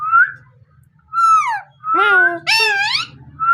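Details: Pet parrot indoors giving a series of clear whistled notes around mid pitch, some flat and some gently rising or falling, with a harsher harmonic squawk-like phrase near the end; low steady hum in the background.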